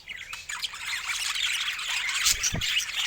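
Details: A short burst of budgerigar chatter: quick squeaky chirps and scratchy squawks running together, with one low thud near the end.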